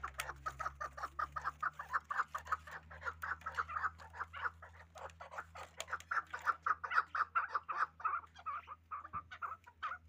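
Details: Hybrid fighting chukar partridge calling: a fast, steady series of harsh, clucking chuk notes repeated several times per second for the full ten seconds, swelling louder toward the middle, with a low steady hum behind.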